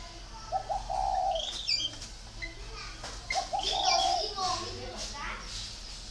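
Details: Low cooing phrases from a spotted dove, short notes then a longer hoot, mixed with human voices and higher chirping from other birds.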